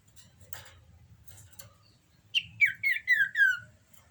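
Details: Common iora in breeding condition: after soft scattered chirps, a rapid series of five or six clear descending whistles, each slurring downward, ends the phrase.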